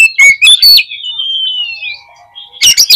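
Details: Oriental magpie-robin song for provoking other magpie-robins: three loud sharp notes, then a long thin whistle that wavers and slowly falls, ending with another loud burst of chirps.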